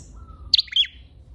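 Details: Red-headed flowerpecker lure call: a single sharp, high chirp broken into quick bright notes and ending in a short buzzy trail, over a quiet background with a faint thin whistle.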